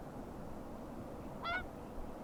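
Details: Whooper Swan at Akureyri, 5 April 2020, giving a single brief nasal bugling honk midway through, set against a constant low background hum.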